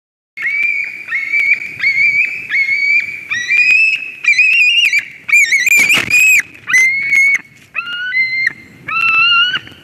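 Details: White-tailed eagles at a nest in Durbe, Latvia, 13 August 2023, calling as a strange ringed eagle flies into the nest; loud, high yelping notes with clear overtones, given in bursts about once a second, one harsher squealing burst midway.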